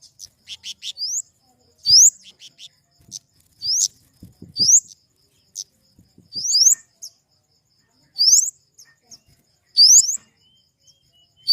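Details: Flowerpecker from the family Dicaeidae repeating a phrase every one and a half to two seconds: a few short ticks leading into a thin, rising, whistled upslur, sung roughly seven times.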